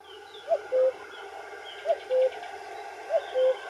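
A common cuckoo gives its falling two-note 'cu-coo' three times, about once every one and a half seconds, over a soft background hiss.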